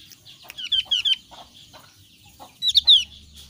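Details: Javan grey-throated white-eye, thin-browed form, repeating clear, sharply falling whistled notes in two quick groups of three, loud and close, with light background twittering between them.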